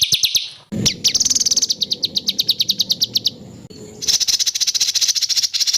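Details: White-rumped shama (murai batu) training recording for songbirds, Medan style, full of harsh rapid-fire 'tembakan kasar' phrases from a national champion: fast high chattering notes in dense bursts, joined by abrupt cuts, with faint background hiss.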